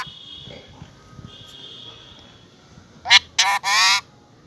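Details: A talking parrot, heard after a long near-silent stretch with a faint steady hum, bursts into three rapid, harsh, raspy squawks close together, the last one longest.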